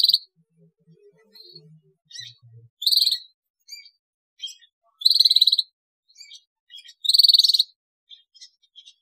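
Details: Canary (Serinus canaria) song used to stimulate other canaries to sing: high, buzzy rolled trills in bursts about every two seconds, with soft chips between them and a few faint low notes at the start.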